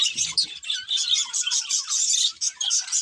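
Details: Budgies chirp in quick bursts of high, rasping twitters and short whistles, with a soft rustle at the start.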